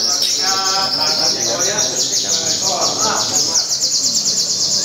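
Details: Caged crimson sunbird (sogon) competing at a Tasikmalaya anniversary singing contest, giving sustained loud 'tembakan' phrases: an unbroken, very high, rapidly pulsing trill with lower chirps beneath and people talking in the background.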